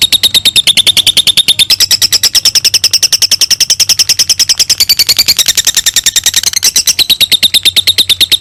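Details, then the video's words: Long lovebird ngekek trill used to teach other birds: a relentless, fast stream of shrill chirps for over eight seconds, pitch rising and falling in waves. "LOVEBIRD NGEKEK - LOVE BIRD NGEKEK PANJANG COCOK BUAT MASTERAN"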